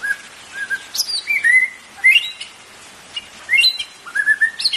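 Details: White-rumped shama song played to stimulate caged birds to sing: clear whistled phrases mixing rising sweeps, steady notes and sharp high upslurs, delivered in quick bursts with short pauses between.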